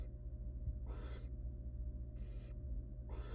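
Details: Wild barn owl nestling in a nest box begging as its mother feeds it; three loud breathy hissing screeches, each about a third of a second, with a constant low hum beneath.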